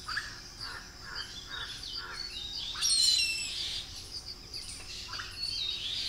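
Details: Two Indian grey hornbills together, one squealing and wagging its tail, while a koel calls behind; short repeated notes lead into a loud burst of shrill, high squeals, then scattered softer calls.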